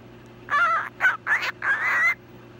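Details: Sammy, a female cockatiel, talks, saying "hello pretty bird" or "such a pretty bird" in four raspy, wavering syllables; recorded 25 October 2017.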